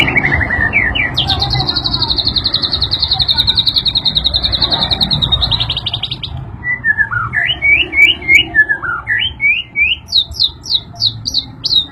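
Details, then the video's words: White-rumped shama made more agitated by a played sound delivers a long fast trill of repeated notes, then varied swooping whistles and short upslurred notes, with constant low background noise. "MURAI BATU MAKIN EMOSI SETELAH MENDENGAR SUARA INI"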